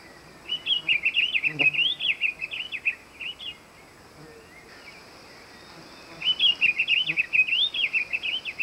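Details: Diademed tanager (sanhaçu-frade) singing two quick warbled phrases of rapid, varied chirping notes, each lasting about three seconds, separated by a short pause; faint background hiss.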